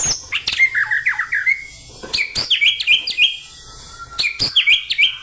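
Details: Song of a caged white-rumped shama in an energetic fighting style: quick series of short chirped notes, brief pauses, sharp clicks, and repeated whistled phrases over a faint hum.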